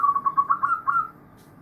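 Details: Chorus of many zebra doves, heard as a steady stream of soft, rolling mid-pitched coo notes in quick succession that slowly rise a little, then stop into near silence after about a second.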